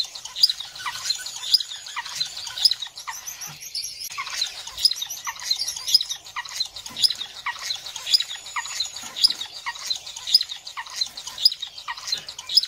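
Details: Star finches (Neochmia ruficauda) keep up a busy stream of thin, high chirps and short tweets, roughly one a second, with a few brief whistled notes over soft rustling.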